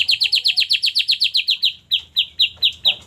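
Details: White-rumped shama song used to draw out singing: a rapid, even train of sharp high chips at about four per second, slowing to well-spaced single notes near the end.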